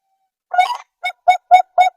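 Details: Zebra dove, local or Bangkok type: one longer wavering hoot followed by four short, clipped cooing notes spaced about a quarter second apart, loud and clear over silence.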